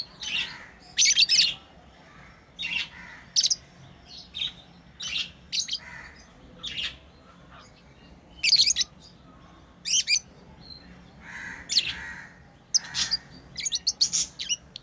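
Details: Pet lovebirds playing, keeping up a long series of piercing, high chirps and short twittering clusters at irregular intervals, some bursts doubled, against a quiet background.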